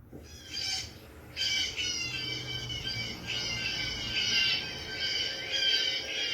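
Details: A Blue Jay, one of the songbirds heard in a backyard in springtime, gives harsh, raspy jeers: a short squawk, then a long grating run of noisy, rough calls with no pause between them.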